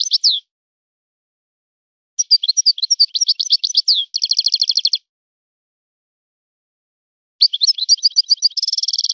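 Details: European goldfinch taken from the wild, singing in a named breeder's song style. Busy high twitters lead into an even, buzzy trill; after a pause, more twittering ends in another rapid trill.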